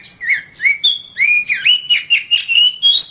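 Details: Caged-bird training song of the Oriental magpie-robin: a loud, continuous string of rich whistled phrases, each slurring up or down, with quick rhythmic notes about every quarter second.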